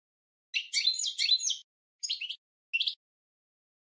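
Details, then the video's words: European goldfinch song used as a training recording for cage birds: a burst of twittering, buzzy high chirps lasting about a second, followed by two shorter chirpy phrases with silent gaps, clean with no other sounds. "Goldfinch 12h Training Song"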